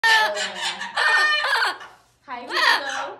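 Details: Two bonded Amazon parrots at an animal sanctuary yelling at caregivers, loud harsh rasping shouts with strong harmonics in two bursts separated by a short pause, indoors.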